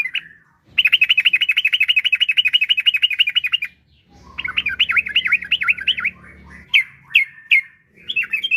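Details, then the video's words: Kept yellow-vented bulbul singing to lure other bulbuls into song: a long, even rapid trill of repeated notes lasting three seconds, followed by a warbling rolling phrase and scattered sharp chirps; faint low hum beneath. "Trucukan Gacor Ampuh untuk Pancingan Trucuk Biar Cepat Bunyi"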